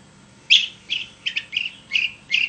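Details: Long-tailed shrike singing vigorously, used as a lure to prompt other shrikes to sing: six short, harsh, high chirps spaced about every half second, each a brief burst with a bright scratchy edge, over a quiet background.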